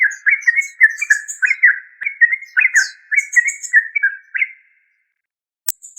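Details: Yellow-vented bulbul in continuous gurgling chatter of slurred, rolling notes, ending with a rising flourish and then quiet apart from a sharp click.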